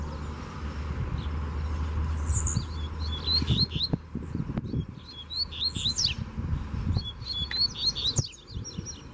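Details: Loose wild Double-collared Seedeater challenging a caged bird in Brazil. Low rumbling and thumps open the passage, then several bright whistled phrases with downward buzzy sweeps repeat over the second half.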